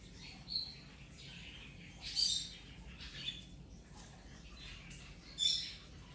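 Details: Playful rainbow lorikeet on its ten-day recovery after being hurt, uttering three fairly soft, harsh, high squeals with faint chatter between them.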